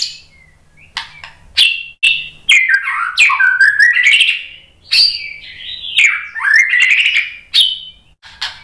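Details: Kept white-rumped shama lure song: sharp clicks followed by rapid, varied whistled phrases rising and falling, delivered in two long bursts with brief breaks.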